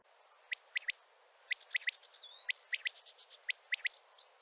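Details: Calling male common quail gathering other quails, giving crisp three-note phrases repeated about once a second, each a quick whistled note then a rapid pair, while other small birds twitter and trill faintly behind.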